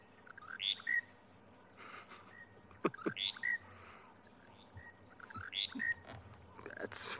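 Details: Monotonous Lark calling on a game drive on 23 January 2020 at Djuma private game reserve, South Africa. It calls nonstop and falls silent only in flight. Short bright whistled phrases repeat every two to three seconds, with softer chirps between.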